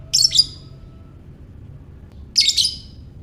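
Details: Lovebird calling in the ngekek style, played to stir other lovebirds into singing: two short, harsh, shrill chirping bursts about two seconds apart, each a rapid double note, with quiet low hum between.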